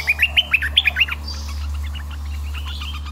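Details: Red-eyed bulbul used as a decoy bird, singing a quick run of bright whistled notes around the upper-middle pitch, about eight rising and falling notes in the first second, then softer chattering and a steady low hum.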